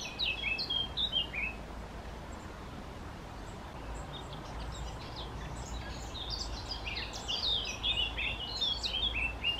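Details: Collared flycatcher nesting in a garden nest box in spring, after returning from Africa in mid-April. High thin whistled notes and short falling chirps come in scattered bursts over steady low background rumble.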